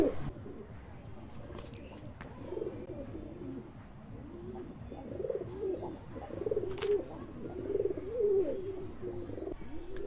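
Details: A caged male domestic pigeon coos steadily in low throaty rolling phrases, repeated without pause, calling to a female held nearby in hand during pairing.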